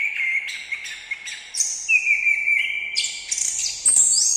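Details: Orange-headed thrush song: sustained clear whistles stepping upward in pitch, with a long even note in the middle. The phrase ends in high, slightly trilled notes and a brief scratchy burst. Background is quiet.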